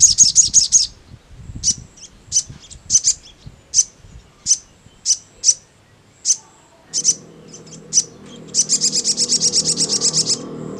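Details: Crimson sunbird answering in ngleper style: a short fast burst of high notes, a string of evenly spaced sharp chips, then a long rapid trill of shrill notes over rising background rumble.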